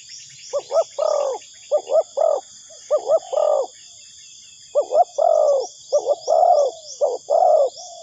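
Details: Spotted dove call used to lure doves into traps: repeated phrases of two quick clipped coos followed by a longer rolling coo, about seven phrases in eight seconds, over a constant high-pitched insect hum.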